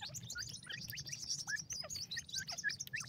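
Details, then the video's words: Several grey francolin chicks calling at feeding time: busy, high-pitched peeps and short upward-slurred chirps crowding together without pause over a faint low hum. "teetar baby, teetar bird, teetar chicks feed"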